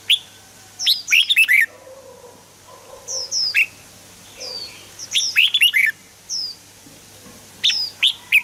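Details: Red-whiskered bulbul singing lively, fluty phrases of four or five quick notes, separated by pauses of about two seconds. Soft high chirps from other birds fill the background.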